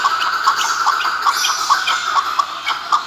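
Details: Chukar, called a national bird, uttering short, sharp clucking notes at roughly half-second intervals, evenly spaced over a few seconds against a steady noisy background.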